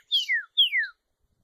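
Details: Solitary cacique uttering two clear, downslurred whistles in quick succession, each falling steadily, with brief silence after.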